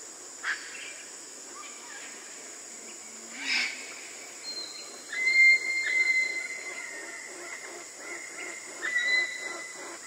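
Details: High-pitched, ear-splitting screams of a Tanimbar eclectus: a few short harsh bursts, then sustained, level, harmonic notes from the middle on. A constant high insect drone runs throughout.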